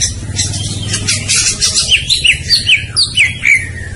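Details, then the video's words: White-rumped shama singing over a steady low rumble. A fast series of bright, slurred whistled notes rises and falls, repeated about twice a second. "Suara Burung Murai Batu"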